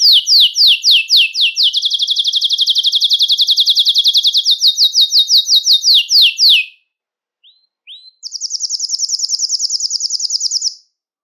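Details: Belgian canary singing to warm up males and bring females into breeding condition: fast rolling trills of repeated notes, a long steady mid-high trill for about four seconds, a short pause with two brief notes, then a higher buzzy trill.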